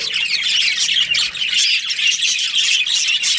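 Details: Breeding pair of budgerigars in a colony giving rough squawks mixed with twittering chirps, a loud, rasping chorus that swells and dips roughly once a second.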